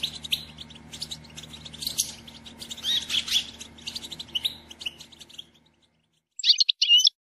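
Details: Calls of a female European goldfinch meant to stimulate the male to sing and grow excited: busy, high twittering with rapid irregular chirps for about five seconds, then silence, then a short sharp burst of calls.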